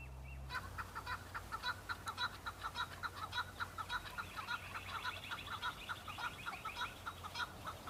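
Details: Breeding-season male Chukar partridges on Bamo mountain in Kurdistan, fighting and displaying to females: a loud, fast, regular train of chuk notes with overlapping callers adding higher rattling phrases, over a low background hum.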